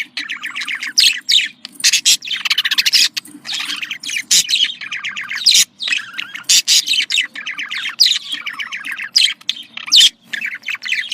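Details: Budgerigars keep up contact calls described as happy: busy warbling chatter, scratchy trills and loud sharp bursts running without pause.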